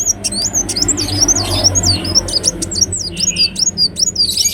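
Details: Ruby-cheeked sunbird singing actively: a fast run of very high, thin, sweeping twitters and zigzag chirps, closely packed and continuous, over a faint low hum.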